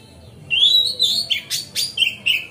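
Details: A magpie-robin sings in an easy, continuous style to stir other magpie-robins into fanning their tails. A long clear whistle rises and wavers, then harsh clicks alternate with short steady whistled notes about four times a second.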